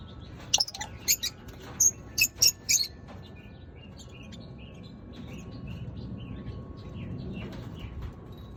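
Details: Lovebirds giving a quick run of loud, shrill, rasping chirps over the first three seconds, then softer scattered high twitters over a steady background hiss.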